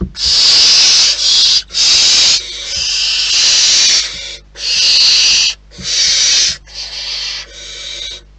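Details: Wild barn owls at their nest give harsh, hissing screeches, roughly 0.5 to 1 second each, in a steady series with short gaps; several overlapping rasping bursts, high-pitched and breathy throughout.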